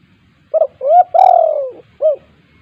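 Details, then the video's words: KUK 2 style call of a spotted dove, meant to prompt reluctant doves to sing: a short coo, a rising coo, a long drawn falling coo, then a closing arched note. "tekukur GACOR KUK 2 untuk pancingan tekukur malas bunyi"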